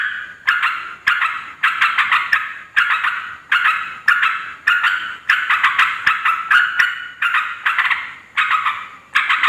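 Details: Yellow-vented bulbul chattering loudly to call in wild males and females: a long run of raspy, bubbling bursts, about a dozen in ten seconds, each starting with a crisp click and fading away.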